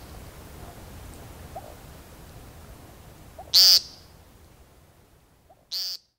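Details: American Woodcock at Forks of the River, Knoxville, Tennessee, in spring, gives two short, harsh, nasal "peent" calls about two seconds apart over a quiet background with faint low rumble.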